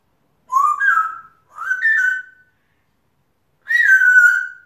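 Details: A pet male African grey parrot chattering to himself: three clear whistled phrases, the first two short and rising with a slight wobble, the last longer, starting high and gliding down to a steady tone, with quiet gaps between.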